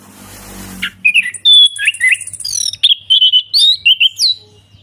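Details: Ngeplong song of an Orange-headed thrush, played to prompt a thrush that stopped singing: after brief rustling, a fluid stream of clear whistles, slurs and high squeaky notes, varied and continuous, with a faint low hum.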